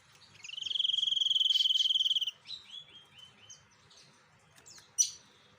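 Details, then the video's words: White-breasted sniper bird in full song: an almost two-second rapid, even buzzy trill held on one high pitch, followed by a run of short descending chirps and a sharp click. "Burung SNIPER Dada Putih Gacor"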